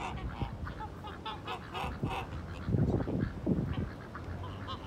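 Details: Tula, Embden and Kholmogory geese, purebred breeding birds hatched in 2018, on a farm on 12 September 2018; a flock gives nasal honks in an irregular series, with some louder, deeper calls and low farmyard noise.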